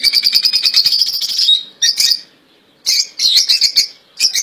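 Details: European goldfinch in a cage, praised as a royal goldfinch singing without errors: a long, fast, tinkling trill running over a second and a half, then separate buzzy, twittering phrases broken by short silences.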